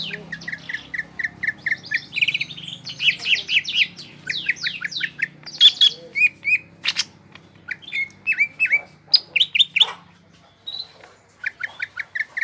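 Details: Greater green leafbird singing energetically: quick repeated whistled notes, then a rich jumble of buzzy, slurred and sharp chirping phrases with brief repeated motifs, over a faint low hum.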